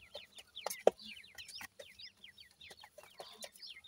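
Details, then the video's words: Iranian francolin chicks calling: a dense chorus of short, high, downslurred peeps overlapping rapidly, with a few sharp clicks and knocks in the background. "irani teetar k bachay boli kartry hn, best teetar chicks boli"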